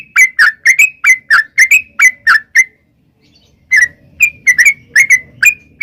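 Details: Bright, gurgling chirps of a yellow-vented bulbul used as bait for wild birds, coming in quick pairs, a one-second pause, then more slurred notes.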